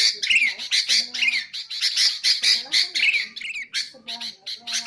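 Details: Sooty-headed bulbul, recording meant to attract and train birds: harsh rasping notes mixed with short downslurred whistles, a soft low steady tone faintly underneath.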